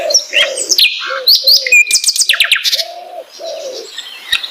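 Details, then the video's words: Flycatcher (sikatan londo) song of rapid high chips, whistles and short buzzy runs, interleaved with several lower, hoarse, drawn-out notes. "beautiful voice singing !!! beragam jenia dan kicauan sikatan londo"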